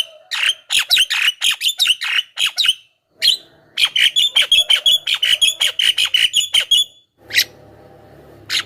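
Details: Javan myna calling as a lure to draw wild mynas, with rapid bursts of harsh, squeaky notes about twice a second, broken by one short pause, then a few scattered notes over low background rumble.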